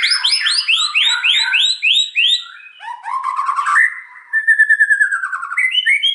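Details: Rapid, close-fired gacor song of a white-rumped shama: a run of quick repeated rising whistled notes, a buzzy rattling passage, then level whistles and short upslurred notes, all loud and clear.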